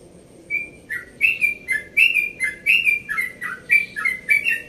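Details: Yellow-vented bulbul, a caged bird about one and a half years old from Bekasi, singing relaxed early-morning notes at dawn: bubbly phrases of short rising and falling whistles, roughly one per second, steady and repeated.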